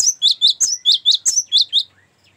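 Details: Cinereous tit chirping in its ngerol song, good for luring and as a master song: about nine loud, high, sharp notes in quick even succession over two seconds, then quiet.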